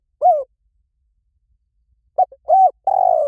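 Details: Spotted dove cooing, used as a lure call for trapping. One short coo is followed by a pause, then a phrase of two quick notes ending in a longer, gently falling coo. The recording is clean and quiet.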